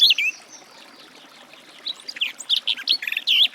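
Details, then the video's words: Garden warbler (Sylvia borin): a short opening phrase, then a pause with faint thin notes, followed by renewed bubbling warbling of quick, fluty notes. "Warbler garden, birdsong"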